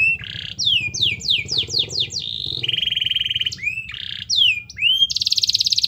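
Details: Prolific canary in full song, used as a lure for a reluctant canary: downswept whistled notes in quick series, a flat buzzy trill, then upward-curving chirps and a bright rattling phrase at the end.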